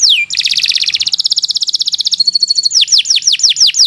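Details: Kenari Nusantara canary in long 'gacor' song for tutoring other birds: one high note gliding down, then a rapid rattling trill lasting two seconds, then clear downward-swooping whistles given in quick succession.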